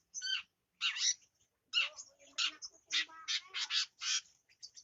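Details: Young long-tailed shrike just past its juvenile plumage, learning to sing: a string of harsh, raspy, broadband notes in short bursts, spaced irregularly then quickening into a rapid series of scratchy chatters, ending with faint short notes.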